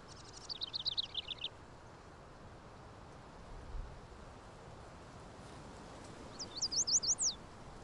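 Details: Two quick bursts of thin, high, sharp chips from Black-chinned Hummingbirds feeding on agave and century plant in the Chisos Basin, Big Bend National Park, 1988, over a steady wash of wind-like background noise.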